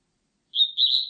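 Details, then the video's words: Blue-and-white Flycatcher, 2020 recording: a short high whistled phrase, a steady clear note followed by a slightly warbled, sustained whistle, on a silent background. "큰유리새, 1번 듣기, 곤충소리, 새소리"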